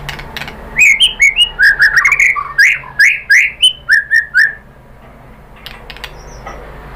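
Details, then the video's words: White-rumped shama song used as a lure to provoke other shamas into singing: a burst of about a dozen rich, slurred whistled notes, rising and falling, with sharp clicks over them, lasting some four seconds before fading into quiet hum. "KICAUAN MURAI BATU merangsang BUNYI jadi EMOSI NYAUT GACOR NGEPLONG BONGKAR ISIAN ¦ PANCINGAN MURAI"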